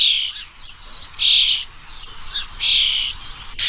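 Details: A bird gives long, bright, high chirping calls in drawn-out phrases, with two louder bursts near the middle and end and softer twittering between them.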